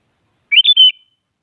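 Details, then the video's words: Sooty-headed bulbul giving a provoking song so other bulbuls join in: one crisp phrase of three rapid whistled notes, sweet and slightly descending at the end, with silence around it. "Suara Burung Kutilang Paling Aktif Memaksa Lawan Agar Bunyi Jadikan Kutilang Ikut Gacor"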